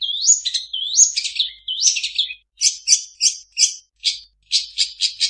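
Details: Long-tailed shrike song full of borrowed phrases from other birds: three rising whistled slurs followed by bursts of rapid, harsh chattering notes in quick groups, recorded cleanly.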